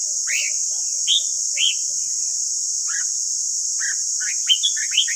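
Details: Training song of a red-whiskered bulbul for caged birds: several separate clear, slurred whistles spaced about half a second apart, then a rapid cluster of bubbling notes near the end, with steady background hiss.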